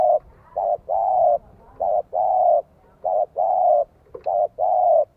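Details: Spotted dove decoy bird singing in the 'giọng son, 1 cốt lỡ' voice style, meant to lure wild doves: low, hollow coos in flat-topped, even phrases, short notes alternating with longer drawn-out ones, repeated steadily with faint background hiss.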